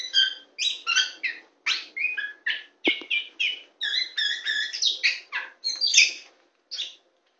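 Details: Tame champion kacer poci (Oriental magpie-robin) singing while perched on a hand: a fast run of bright, varied whistled and chattering notes, separated by short gaps, with one sharp click near the middle and a final short note after a pause.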